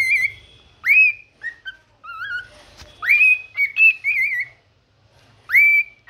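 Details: Pet cockatiel whistling a morning song: upward-swooping clear whistles alternating with wavy, trilled notes and short chirps, in phrases about a second long with small gaps.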